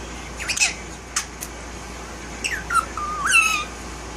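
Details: Indoor talking by a one-year-old male violet Indian ringneck, a pet that has bitten off its tail: scattered chattering squawks, then a wavering whistled phrase that rises and levels off near the end.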